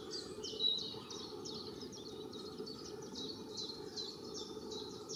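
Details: Nest-building long-tailed tits, a pair adding feathers to a round nest of twigs and lichens, filmed from afar: a thin stream of high repeated chirps, softer and slightly uneven, above a constant low hum.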